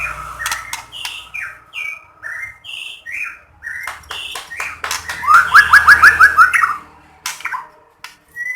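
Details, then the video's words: White-rumped shama song used to coax other shamas into singing: varied whistled phrases around mid pitch, then a fast rapid-fire run of repeated rising notes near the end, with sharp clicks and taps between phrases. "Masteran Burung Murai GACOR BIKIN Burung lain akan terpancing ikut BERKICAU"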